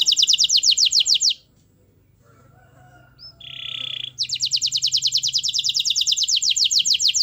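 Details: Lure song of a constantly singing canary, meant to prompt a lazy canary to sing: rapid high rattling trills, a pause with a brief buzzy note, then the fast trill resumes and runs steadily.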